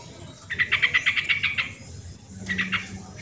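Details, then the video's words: Sooty-headed bulbul lure recording for lazy birds: a rapid string of about ten harsh notes, then a shorter run of four, with a low steady tone in the background. "suara original burung trucuk pancingan trucukan yang malas bunyi dan bahan agar bunyi dan gacor"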